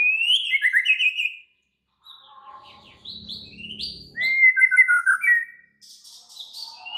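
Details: White-rumped shama in excited, agitated song: varied chattering and whistled phrases, rising and falling, with brief pauses and soft low noise in the middle.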